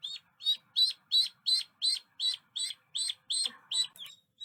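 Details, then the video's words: Duckling quacking: about twelve loud, high, even peeps at a brisk regular pace, nearly three each second, clean with almost no other sound. "little duckling sound effects"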